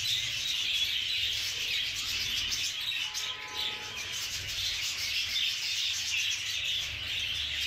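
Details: Budgerigar chicks in the nest, their beaks looking unusual, give a steady stream of harsh, raspy chirping, several calls a second, blending into a continuous high hiss.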